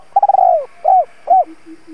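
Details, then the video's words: Spotted dove used as a decoy to stir up wild doves: a quick stuttering burst of low coos slides into a drawn-out falling note, followed by two rounded single coos and soft, low repeated murmurs at the end. "Tiếng chim cu gáy (THÚC - GÁY GỌI) kích bổi hiệu quả"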